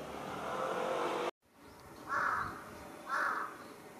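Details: Large-billed crow raising a commotion from a residential utility pole, 1 July 2023: a steady hum cuts out, then two loud, rasping caws about a second apart.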